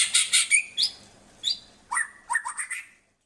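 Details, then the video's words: Short, quiet burst of white-rumped shama song: a few high, buzzy notes and rising chips, then a quick stuttering group of four clipped notes before silence. "Kicau murai yang bikin ngiri nie super banget"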